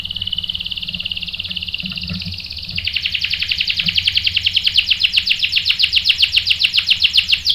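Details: A canary sings a bait song meant to make a male sing in reply: a sustained buzzy roll that steps up in pitch near the middle, then continues as a quick, even, high trill lasting several seconds.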